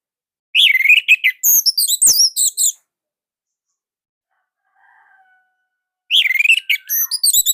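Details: Indonesian Orange-headed thrush singing nonstop as a master song; two bursts of rapid, high, sharp whistles and warbled chatter, separated by a pause with a faint low whistle.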